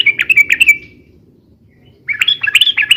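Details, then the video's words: Sooty-headed bulbul song used for lure-calling and tutoring: a quick string of sharp chirped notes fading out, a second of quiet, then a rapid jumble of higher bubbling notes. "SUARA BURUNG TRUCUKAN RIBUT UNTUK PIKAT DAN MASTERAN ,SUARANYA ROPEL DAN PANJANG"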